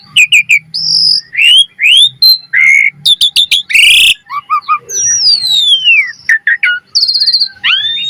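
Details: Asian pied starling singing energetically and with full variety, recorded as a lure for training: rapid loud whistled upslurs, sharp chirps, a harsh burst, and a long descending whistle in quick succession.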